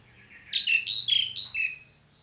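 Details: A female pied myna calls to a male with a loud run of five rough, buzzy chattering notes mixed with sliding whistles, over a low hum in the background.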